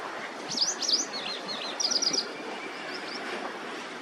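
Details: White-browed wagtail singing quick, sharp zigzag whistles in two bursts, a short trill of high notes in the middle and a couple of softer notes after.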